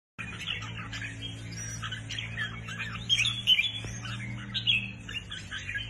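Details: Newly acquired caged red-whiskered bulbul singing: bursts of bright, chattering whistled phrases, loudest and densest midway, over a steady low electrical hum.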